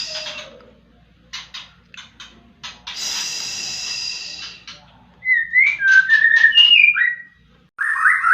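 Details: Lure song of a white-rumped shama meant to provoke other birds to sing. Scattered clicks and a burst of hiss come first, then rich whistled phrases with rising and falling slurs near the end.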